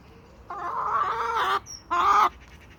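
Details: Domestic chickens from a small suburban homestead flock of hens and roosters on sandy soil: two loud, harsh, harmonic squawking calls, the first drawn out for about a second, the second shorter, followed by a faint thin chirp.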